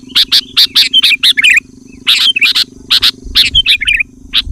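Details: Sooty-headed bulbul singing loudly and persistently, used to call in wild bulbuls: short clear chirped notes in quick bursts of three to six, some ending in warbled twittering tails, with brief pauses between bursts.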